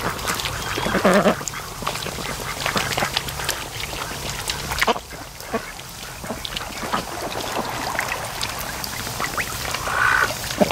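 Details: Laid-back raised ducks dozing at the mouth of a creek on an afternoon lake, letting out sporadic clipped quacks, with one longer drawn call near the end.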